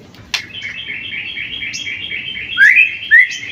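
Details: Young white-rumped shama, seven months old, pastol type, giving a fast, even stream of high chattering notes that end in two loud, sharply rising whistled slurs.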